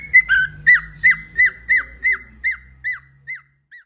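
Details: Pet cockatiel whistling a run of about ten clear notes, each sliding sharply downward, repeated roughly every third of a second and fading toward the end, with faint low background hum.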